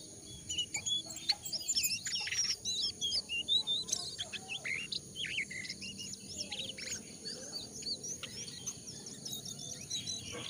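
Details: Jongkangan calls used as a lure to get newly caught or wild birds calling quickly: dense, rapid high chirps and short whistled notes tumbling over one another, with a steady high hiss throughout.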